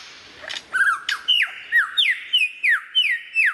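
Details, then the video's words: Lyrebird repeating a loud, slurred downward whistle about three times a second, each note sliding sharply from high to lower pitch. "Lyrebird sound"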